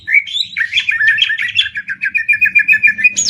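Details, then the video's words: Greater green leafbird in a 'tembak ngetrek' song duel, Banyuwangi against Kalimantan. A twittering jumble of whistles settles into an even, fast series of short chirps, about five per second, ending in a high buzzy note. "Cucak Ijo Adu Tembak ngetrek!!!"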